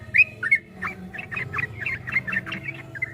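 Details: Softer yellow-vented bulbul ropel song for training caged birds, a short run of about a dozen rounded chirps, roughly three per second, over a steady low hum.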